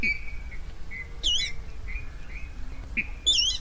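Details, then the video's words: Rail voice played as a lure for night net trapping in 2020: soft, drawn-out whistled notes, several short piping calls, and two louder, squealing bursts, with a faint low hum behind. "tiếng gà nước đánh lưới đêm 2020"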